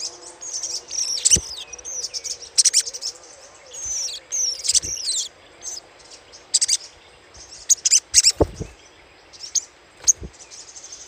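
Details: Little spiderhunter chattering call, used as a lure: bursts of high, rapid chattering notes mixed with thin, sweeping whistled phrases, separated by short pauses, with sharp clicks and a low steady hum underneath.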